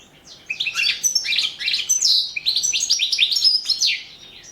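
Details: European goldfinch entered in a 2017 internet world championship for goldfinch song, singing a fast, bright twittering phrase of high chirps and trills that runs almost without a break after a brief quiet start.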